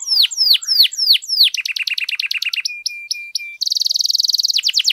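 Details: Canary with long, lively song to make silent canaries start: sweeping falling whistles, a quick stuttering trill, a string of short level pips, then a fast bright buzzy roll.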